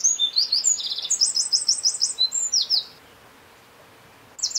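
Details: A Eurasian wren, recorded at N49°52' E18°11', delivers a loud, fast, very high song of jumbled sharp notes and a rolling trill for about three seconds, a pause, then the start of another phrase.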